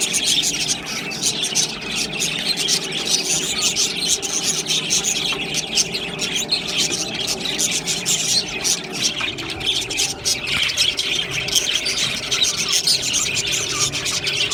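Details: Long stretch of budgerigar flock chatter: many birds chirping, twittering and squeaking at once in an unbroken, even-volume stream of high, bright notes.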